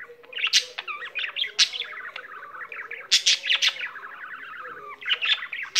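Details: Domestic budgie warbling nonstop: rippling chatter of looping whistled notes, clicks and sharp chirps, with a few louder harsh bursts, over a low steady hum.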